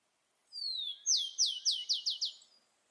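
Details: Wild rufous-collared sparrow singing in nature: a clear high whistle sliding down, followed by a trill of six bright downslurred notes repeated about every quarter second, on a quiet background.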